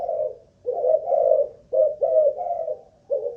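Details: Deep, hoarse coos from a caged spotted dove of Malaysian line serving as a ground decoy during a stamina test; a long phrase, then a quicker three-note run and a final short coo.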